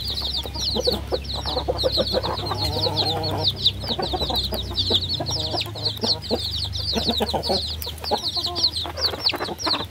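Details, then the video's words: Baby chickens, a group of chicks, cheeping constantly with high, rapid down-slurred peeps overlapping, plus softer lower chirps and a faint low hum throughout. "30 minutes of cute baby chickens"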